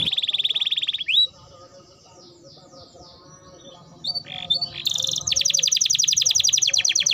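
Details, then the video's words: Canary song lure for getting canaries to sing: a fast trill, a pause with faint background sounds, then scattered chirps and a dense, loud, high rattling trill. "Pancingan Suara Burung Kenari Gacor || Ampuh Rangsang Kenari Cepat Bunyi"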